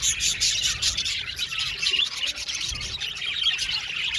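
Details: Aviary full of budgerigars giving a steady stream of bright, overlapping chirps and warbled chatter, with occasional short whistled notes standing out.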